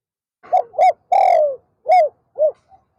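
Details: Afternoon decoy spotted dove luring wild doves: two short coos, a long downward-sliding coo, then two more short, rounded coos, clear against a quiet background.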